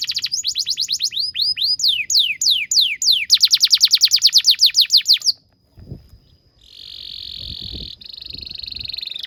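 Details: Canary song for training young canaries: a long run of quick descending whistled sweeps speeding into a rapid trill, a brief quiet gap with faint knocks, then a sustained buzzy roll.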